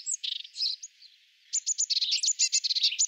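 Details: European robin courting: a soft twittering phrase, a short gap, then a fast series of sharp high chirps and trills.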